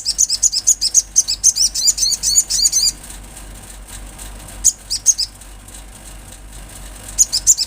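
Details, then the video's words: Olive-backed sunbird in energetic song, a fast run of high piercing chips and twittered notes lasting about three seconds, then scattered single sharp chips and a last short burst, with low hum beneath. "Sogon gacor suara Asli Alam"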